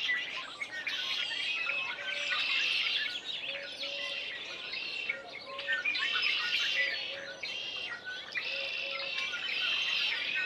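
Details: Spring chorus of loud red-winged blackbirds in a backyard: overlapping chirping and trilled phrases rise in surges roughly every two seconds, with many birds calling at once. Faint lower notes are mixed in.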